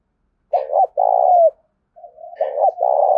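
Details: Loud 'gáy thúc' coo of a tame decoy spotted dove from the Đồng Nai countryside, Vietnam, played loudly to attract wild birds: a double clipped note followed by a sustained, slightly falling coo, then a second phrase starting.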